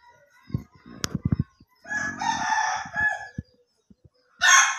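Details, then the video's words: Ayam Ketawa chicken crowing in the slow or durasi style. Sharp clicking knocks come first, then a raspy, buzzing laugh-like phrase lasts about a second, followed by a few more knocks and the start of another loud burst. "AYAM KETAWA SLOW VS AYAM KETAWA DURASI"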